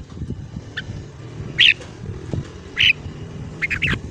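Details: Red-whiskered bulbul morning song in the 'ché' style, played to train the voices of young birds: three short, bright, slurred whistled phrases about a second apart over a steady low rumbling background.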